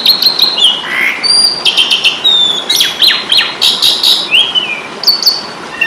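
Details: Asian pied starling (jalak suren) fighting song from Indonesia, used to train cage birds: chattering whistles and sharp clicks repeated in pulses about every half second, with slurred descending notes.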